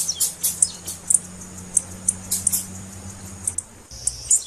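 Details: High, clipped chips from a female blue-black grassquit, a call played to stimulate males to sing, coming in uneven bursts with short pauses and a brief gap near the end, over a low hum.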